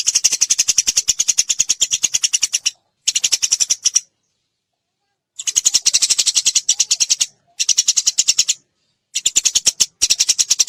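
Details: Eurasian tree sparrow in a rapid, shrill chattering series used as a training recording. Dense, high, buzzy chirps come in fast bursts separated by abrupt silences, as if cut and looped.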